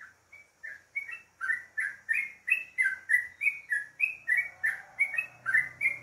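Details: Yellow-vented bulbul singing in the morning: a lively run of short, bubbly whistled notes around three per second, some rising and some falling, with a steady rhythm and a faint low hum underneath.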